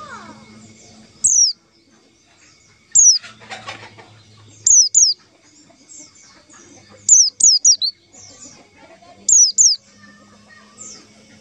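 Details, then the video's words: White-eye call played as a lure for trapping white-eyes: high, thin whistles sliding steeply downward, given singly or in quick pairs and triplets about every two seconds, over faint low background hum and occasional clucking. "suara panggilan pleci untuk pancingan pleci"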